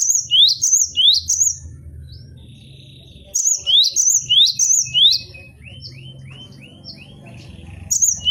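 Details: Cinereous tit, caged, singing for a tutoring recording: bursts of sharp rising two-note whistles repeated in quick series, separated by quieter pauses with a thin sustained tone and soft short notes, low rumble behind.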